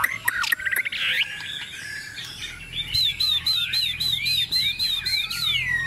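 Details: Chinese hwamei, a tame bird set on a table, opens with scratchy chatter, then delivers a rapid series of repeated bright whistled notes climbing and falling.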